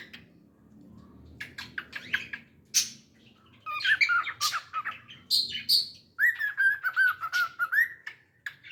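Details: Singing pet cockatiel: scattered sharp chirps build into longer whistled phrases, ending in a sustained wavering whistle broken into quick pulses, in a small quiet room.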